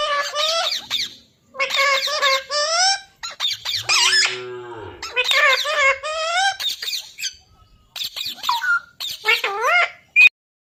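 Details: Parrot giving loud, wavering harmonic squawks and nasal, voice-like calls in bursts of one to two seconds, with short pauses and a lower rasping, buzzy stretch partway through.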